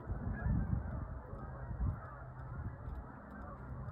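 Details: High-flying flocks of Canada geese, dated 1/4/26, produce a thick chorus of honks, loudest in the first second and again briefly near two seconds, then settling into a steady murmur.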